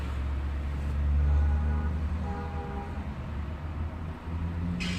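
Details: A passing train rumbles low and steady with a faint horn-like hum, and no animal is heard.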